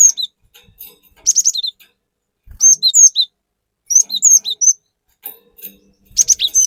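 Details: Cinereous tit in vigorous, varied song for luring other birds: bursts of high whistled notes, each dropping into a lower slur, repeated about every second and a half, with light clicks between.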